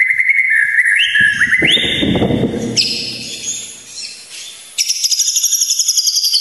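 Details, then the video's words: White-rumped shama song for training and provoking emotion: stepped whistled notes climbing in pitch, a noisy harsh middle section, then a fast high repeated trill. "masteran dan pancingan emosi murai batu"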